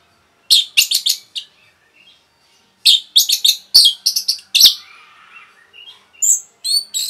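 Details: Rapid song of an orange-headed thrush, meant to rouse other birds: clusters of sharp, scratchy chirps in quick runs, separated by short gaps, with softer warbling and a few high whistles near the end.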